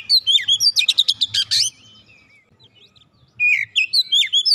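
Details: Lure song of an Oriental magpie-robin, meant to stir a quiet magpie-robin to sing: a fast burst of sharp, chattering notes and whistles, a pause of nearly two seconds, then clear whistled phrases with quick flourishes.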